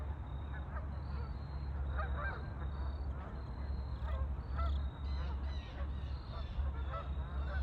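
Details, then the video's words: Ducks on a lake giving scattered nasal, harmonic calls, some rising and falling, from several birds at once, over a steady low rumble throughout. "Ducks on a lake for relaxing sound"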